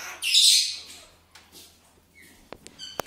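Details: A pet blue-and-yellow macaw (Ara ararauna), one of two kept together, gives one loud, harsh, raspy squawk of about half a second while its owner coaxes it in Czech, followed by faint clicks and ticks.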